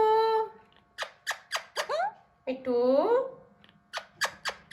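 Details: Hand-tame Alexandrine parakeet attempting to talk: a steady nasal tone, then a rising slurred syllable and a long wavering drawn-out note, mixed with sharp clicks and faint music and laughter in a small room.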